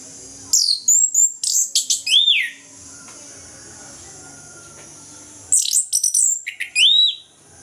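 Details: Orange-headed thrush pouring out morning ngeplong song as a lure for birds unwilling to sing: two bursts of rapid high chirps and swooping whistles, separated by about three seconds of quiet hiss.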